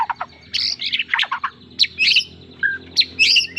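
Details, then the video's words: White-rumped shama singing a varied phrase: short sharp chirps and squawky, buzzy notes, then rich warbled bursts with brief pauses between them, in a quiet room-like setting. "suara kicau murai batu"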